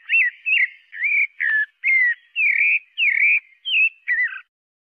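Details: Pale-breasted thrush in song, delivering nine clean whistled notes in quick succession, some rising and some falling, with steady pitch and no other sounds.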